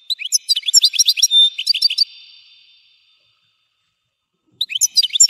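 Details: European goldfinch pouring out a fast run of jangling high twitters and chirps, one held whistled note in the middle, then a ringing fade, a quiet gap, and a fresh burst beginning.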